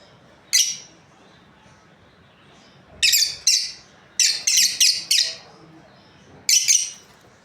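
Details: Lovebird pair chirping: an isolated shrill note, then a pause, then a quick cluster of harsh high chirps and a final doubled squeak.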